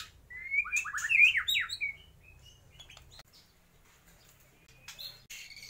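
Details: A white-rumped shama imitating lovebird, kapas tembak and pijantung gunung: a short burst of loud, jumbled whistled slurs lasting under two seconds, then near quiet with faint ticks and a thin closing whistle.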